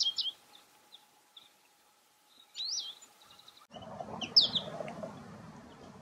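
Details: American goldfinches in breeding plumage, the male with a black cap, sing short, high twittering and sweet slurred notes in scattered bursts, with a rumbling wind-like noise over the second half.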